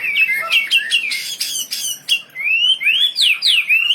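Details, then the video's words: Gacor wambi bird: choppy, harsh squawky notes at first, then clear whistled phrases sweeping steeply upward and downward. "Burung wambi istimewa gacor full"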